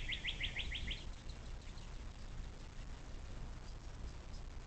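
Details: Nest-cam capture of a bald eagle by the Little Miami River in southwest Ohio, USA, 06.04.2024, 17:23: a brief burst of about six quick, sharp, high piping notes, then low background rumble.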